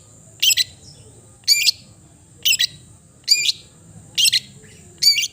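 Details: Cendet, the long-tailed shrike, gives a brief, rattling double note about once a second, six times, with a continuous faint high whine in the background.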